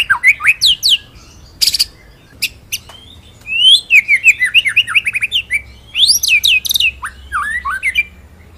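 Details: White-rumped shama master song for training other birds: a rich, varied run of quick whistled slurs and chirps, rising and falling, with brief high rattles.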